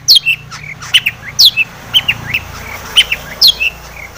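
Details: Long-tailed shrike lure recording to provoke agitated singing: sharp descending whistled notes, each followed by short harsher chirps, in loose phrases roughly every half second, with a quiet hum beneath.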